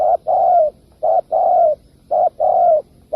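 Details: Spotted dove call used as a lure for trapping: loud repeated two-part cooing, a short hoot followed by a longer falling coo, the pair repeating about once a second with no other sounds.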